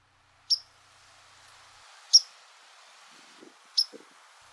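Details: A White-throated Sparrow gives its call, three sharp, high, clipped chip notes spaced one to two seconds apart, over faint background hiss and a couple of soft low thumps.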